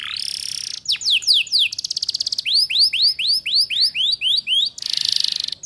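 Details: Canary lure song in the ngeriwik style, used to tutor young canaries and described as a female luring males: a steady buzzy trill, then rapid descending whistled sweeps, a row of rising arched notes and a closing harsh buzz.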